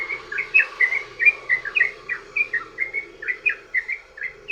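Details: Sooty-headed bulbul (trucukan) lure recording of long rapid song: crisp, repeated chirping notes at a quick, slightly uneven tempo of about four per second, with soft low hum behind.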